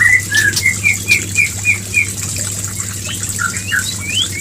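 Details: White-rumped shama, used to bring a female into breeding condition and mating: a run of about eight short clear whistled notes near the same pitch, evenly spaced, then higher varied upslurred notes, over a steady low hum and high hiss.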